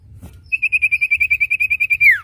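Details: Common iora sound for training caged birds to sing: a rapid, even trill of about fifteen pulsed whistled notes on one pitch, ending in a longer down-sweeping whistle.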